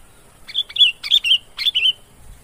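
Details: Sooty-headed bulbul song used to lure birds: three short bright chirpy phrases, each a quick burst followed by a slurred falling note, with quiet pauses between.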